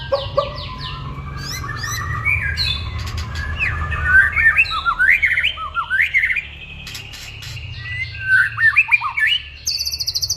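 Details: White-rumped shama singing energetically, a varied run of whistled, slurred and sharply rising notes with rapid chattering bursts and high buzzy trills, phrases tumbling without pause over a low background hum.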